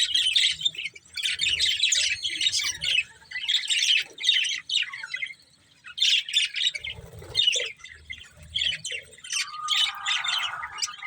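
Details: Steady warbling chatter from a breeding pair of budgerigars, rapid buzzy and clicking notes running for long stretches, briefly pausing midway, with a smoother whistled phrase near the end.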